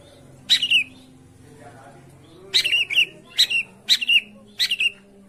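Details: Long-tailed shrike call used to prompt a quiet bird into song: one rasping note with a falling tail, a pause of nearly two seconds, then four more spaced evenly over faint background hum.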